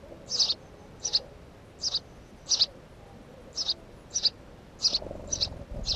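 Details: House sparrow giving a steady series of short, bright chirps, nine in six seconds, roughly evenly spaced, over a quiet background with faint low hum.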